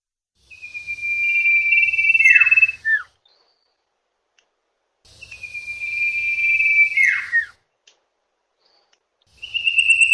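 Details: Lure call of the common iora for catching wild birds' attention: two long whistles, each bending sharply downward at the end, with a hissy buzz over them and a faint low hum.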